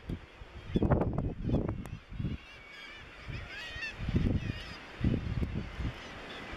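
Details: Razorbills at Bempton Cliffs, East Yorkshire, in May 2017 on the breeding ledges: low, grating groans in short clusters separated by quieter gaps, with thin wavering colony calls in the background.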